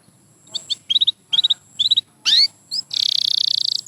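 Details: Canary giving short clusters of high chipping notes separated by brief pauses, one rising-and-falling whistle, then a loud continuous buzzy trill.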